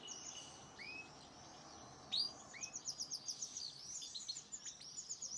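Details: Domestic canary song alongside a goldfinch: high, rapid twittering with slurred rising notes, then a quick pulsed trill of about five notes per second; the goldfinch may be singing too.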